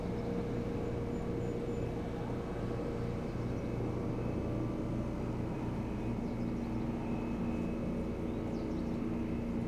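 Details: Steady low engine drone like a passing aircraft or vehicle fills the recording, with constant hum tones and no animal calls.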